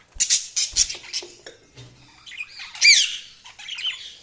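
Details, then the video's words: Budgies chattering in rapid, harsh, buzzy chirps and squawks, with a brief clear whistled note near the end and faint low thuds in between. "Budgies Sounds| Budgies Chirping sound"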